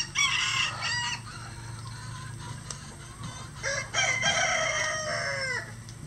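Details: Several farm roosters, part of a flock of at least 20 standard and bantam cocks that crow all day, calling one after another; bright, harmonic crows overlap, the last drawn out and falling in pitch, with a low background hum.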